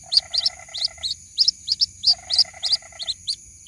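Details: White-breasted waterhen chick calling its mother: rapid, high thin peeping notes in short clusters, roughly three per second and slightly irregular, mixed with softer, lower buzzy pulse trains; quiet low background rumble.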